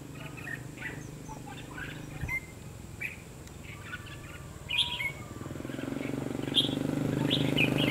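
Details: {'caption': 'Red-whiskered bulbul recorded during trapping with a decoy bird on 22 February 2016. Short, bright chirped and whistled notes come in irregular bursts over a steady low hum, and a rising buzzy noise builds in the final seconds.'}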